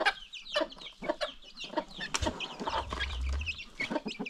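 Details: Free-range farm flock with new baby chicks, clucks and chirps coming roughly twice a second, with a low rumble of background noise midway.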